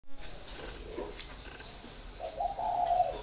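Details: Spotted dove kept in a cage for four years, giving a short low cooing phrase near the end, a hollow steady hum after faint background rustling.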